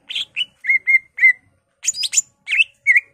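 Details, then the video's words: Greater green leafbird singing vigorously with a varied repertoire, said to include imitations of magpie-robin, laughingthrush, canary and other birds: a spaced run of short whistled chirps, several level and slurred, then some higher, buzzier notes. "BURUNG CUCAK IJO GACOR EMOSI NGENTROK BONGKAR ISIAN"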